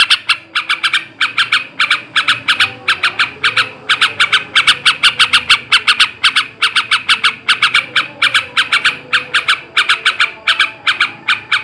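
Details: Long ngebrem ngekek garuda song from a male trucukan (yellow-vented bulbul), played to raise breeding drive: sustained rapid harsh chattering in clustered bursts, unbroken and loud for the whole stretch.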